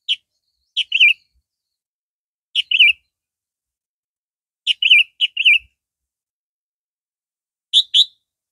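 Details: Captive red-vented sooty-headed bulbul, compared with a yellow-vented bird, sings bright high phrases of two to three quick whistled, warbling notes, repeated in four bursts about two seconds apart; faint low clicks.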